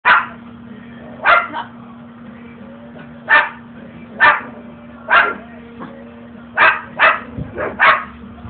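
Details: A pet umbrella cockatoo barks at the household dogs, imitating them with about eight short, harsh barks, some in quick pairs, over a steady low hum.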